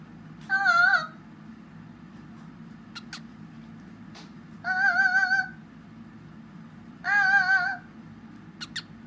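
A cockatiel sings three drawn-out, wavering, harmonic-rich notes that sound almost like a meowing cat.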